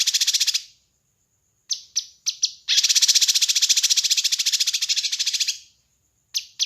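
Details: Kinoi bird, captured for training and luring birds. Extended grating, buzzy rattle lasting about three seconds, preceded and followed by short sharp chips. A thin steady high tone runs in the gaps.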